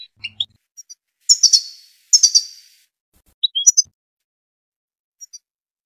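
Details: European goldfinch from Tunisia: bright, rapid twitters and buzzy tinkling bursts, grouped in clusters of two or three notes with short pauses, very high and clear with no other sounds.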